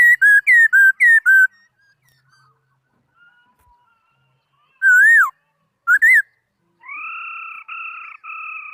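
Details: Singing laughingthrush gives rapid loud whistled notes, then a pause, two looping slurred whistles, and finally long steady pure whistles that rise slightly at the start, with near silence between phrases.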